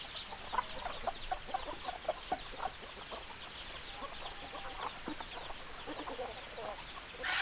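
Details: Chickens cluck in a rapid series of short notes, evenly spaced at first, then blurring into general flock murmur, ending with a louder rising call.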